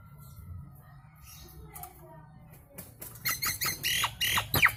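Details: Nias hill myna, a loud lure for prompting birds to answer and sing. After a quiet start with faint room hum, the bird breaks into loud, harsh, broadband bursts mixed with sharp chips in the final two seconds.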